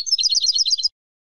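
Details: Brief burst of European goldfinch song, Spanish bird: a rapid, jangling stream of high twittering notes lasting under a second, then silence; no background noise.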